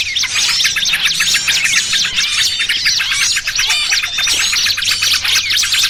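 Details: Lure recording of small birds used for trapping, a noisy mix including trucukan: dense, overlapping high chirps and rapid twittering trills, many callers at once, with quick upward and downward sweeps throughout and a faint low hum beneath.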